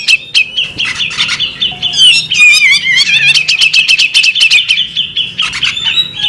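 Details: Female bearded magpie robin giving an alluring call: a dense, rapid stream of high chirps and twittering notes with wavering whistled slurs around the middle, nearly continuous for over six seconds.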